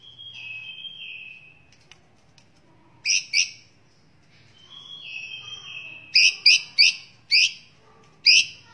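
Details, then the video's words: Singing white-rumped shama on a tutor recording for other birds, full of varied phrases: long, thin, falling whistles alternating with bursts of loud, rasping notes repeated in quick, uneven series. "Muray Batu Gacor Full Masteran Isian Banyak"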